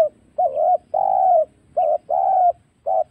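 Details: Spotted dove in the wild, recorded for luring birds into traps; low mellow coos alternate short and long, five notes in about three seconds, each long coo dipping slightly at the close.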